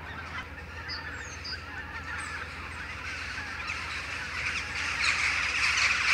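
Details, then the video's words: A flock of western jackdaws, returning in the morning from their roosting trees to gather for a communal flight, gives a dense chatter of sharp, metallic 'chak' calls rising in number toward the end, over a low steady rumble. "Dohlenschwarm | Flock of jackdaws"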